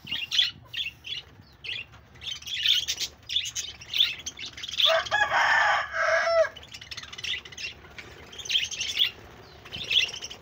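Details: Pet budgies on 1 June 2024 give repeated short high chirps in loose clusters, broken midway by a drawn-out raspy, warbling phrase about a second and a half long, then more chirping.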